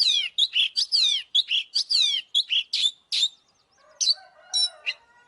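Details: Oriental magpie-robin singing to provoke a fight: a rapid series of clear descending whistles and chirps, then a quieter stretch with a few sharp notes over soft lower tones.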